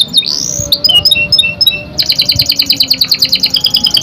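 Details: Young canary singing, used to prompt other canaries: a long rising whistle, scattered high chirps, then a fast even trill of sharp repeated high notes, about three per second, in a small room.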